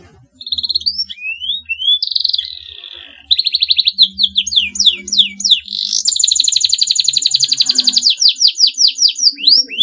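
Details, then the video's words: Canary in long, rival-provoking song: high sliding whistles, a brief hum beneath, then dense rapid trills and rhythmic chirps building into a sustained fast rattling trill. "KENARI GACOR PANJANG, TERBUKTI BIKIN LAWAN LATAH IKUT BUNYI GACOR NYERANG FIGHTER"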